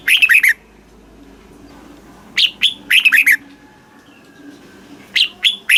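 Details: Red-whiskered bulbul song, played to stimulate caged birds in Thailand: short bursts of rich, warbled whistled notes sliding downward, phrases repeated about every two to three seconds with quiet gaps and a faint low hum beneath.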